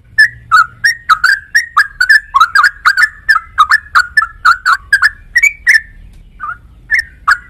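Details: Sooty-headed bulbul, or trucuk, singing a long even series of rich, gurgling whistles at about three per second, ending with a short pause and a few scattered notes.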